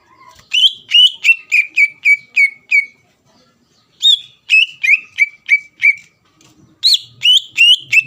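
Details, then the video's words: Greater green leafbird in strong song, used to provoke a rival into singing: bright whistled notes around the upper-middle range, repeated in quick bursts of about eight, each note sliding down, with short pauses between phrases. "CUCAK IJO GACOR MEMANCING EMOSI LAWAN AGAR LANGSUNG BUNYI"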